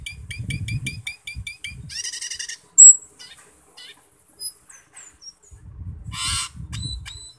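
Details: A Black-winged Myna, a loud mimic, sings a fast run of repeated harmonic chirps, then harsh buzzy squawks and scattered sharp whistles, over a low rumble; a recording used as a lure to get the bird singing.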